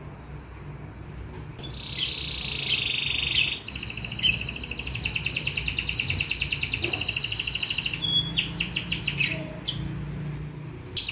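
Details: Canary singing freely: long, rapid, buzzy trills and rattling rolls, with short sharp chips at the start and end, over steady background noise.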